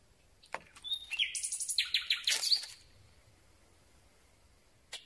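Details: A Common Nightingale singing at night, recorded very close with a pole-mounted microphone that sometimes rubs on thin branches: a loud phrase of clicks, high whistles and a fast run of chattering notes, then a pause.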